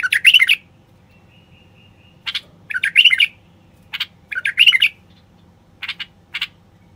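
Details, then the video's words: A male common bulbul sings to encourage quiet wild bulbuls to sing and mate. The song is made of bubbly, rich warbled phrases about every second or two, with a faint thin whistle between them. "تغريد خاص لتحفيز البلابل الوحشية القافلة"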